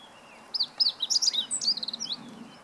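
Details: A Meadow Bunting sings on 20 March 2015: a single rapid phrase of bright, squeaky notes jumping up and down in pitch, ending in a fast rattle of short ticks, over faint low background hiss.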